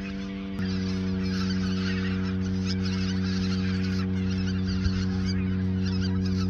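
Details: Flock of geese at the Ochsenmoor nature reserve, autumn 2022, days before their southward migration, giving a constant babble of honking calls that grows louder after the first half-second, with a deep steady hum underneath.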